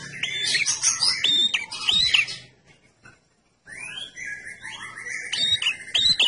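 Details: Red-headed prinia in vigorous song used as a lure: loud, high, scratchy twittering bursts with sharp chips, a brief pause, then rapid trilled notes resuming.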